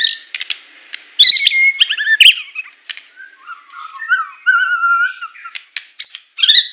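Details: White-rumped shama, Medan variety, in tembakan song: sharp chattering bursts and upward whistles, a quieter passage of wavering low whistles, then renewed loud clicking notes.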